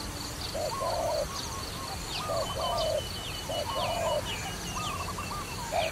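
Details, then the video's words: Somewhat distant dove coos from a trapping scene: short and longer low notes in small groups, a higher quavering voice between them, and thin high chirps and a buzzy whine behind. "Trapping Dove"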